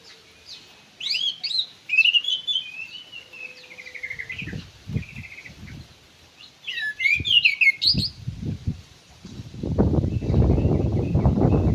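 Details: Ground thrush in an aviary singing quick warbled whistles and a trilled run, then loud rumbling and rustling noise swamps the last part of the recording.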